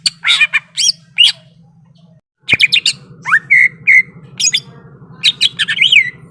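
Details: Greater green leafbird song, the bird described as ready to fight: rapid chirps and sharp whistled notes in quick bursts, a short silent break midway, then clear slurred whistles over a constant low hum.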